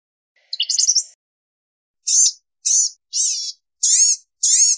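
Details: Blue-gray gnatcatcher giving a jumbled high twitter, then five separate nasal, wheezy mewing notes spaced about half a second apart, each thin and high-pitched, with nothing else audible.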